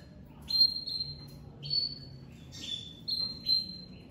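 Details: Crested pied domestic canary ('lavandeira de topete') coming out of moult and singing very loudly: sustained high whistled notes and short rolls, each phrase about half a second, separated by brief pauses.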